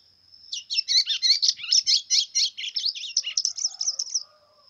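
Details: Kept white-throated seedeater (golinha) in brown plumage, singing a lot in the pressão style; a fast run of high, buzzy twittering notes, about two per second, over a constant high-pitched whine.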